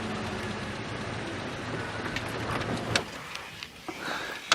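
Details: A safari vehicle's engine rumbles steadily on a sunrise drive, with a few sharp clicks and knocks toward the end and no animal voices.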